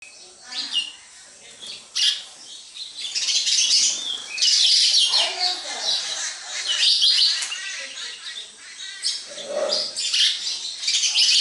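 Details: Sparrows chirping at a house, many short bright chirps overlapping in a busy chorus, loudest in the middle, with faint lower voices and a soft murmur beneath.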